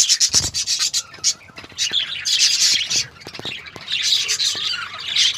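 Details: Budgerigars in a colony where two babies have arrived give a dense, continuous chatter of high, raspy chirps and squawks.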